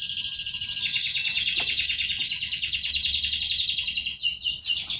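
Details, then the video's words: Canary in song associated with mating with its female: one dense, rapid high trill held almost five seconds, breaking into a few quick downward slurs near the end. "تزاوج طائر الكناري مع أنثاه بعد سماعه هده البتبته"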